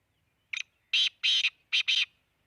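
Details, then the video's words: Black francolin calling at Khushab: a short harsh opening note, then four loud, grating, buzzy notes in two close pairs, the phrase lasting about one and a half seconds against a quiet background. "kala teeter ki awaz"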